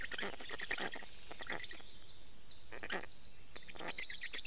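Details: Black stork nestlings in Estonia at 6:41 am on 29 May 2018, fed fish by their father: harsh wheezy bursts and rasping notes with thin high whistles sliding across, over steady low rumble.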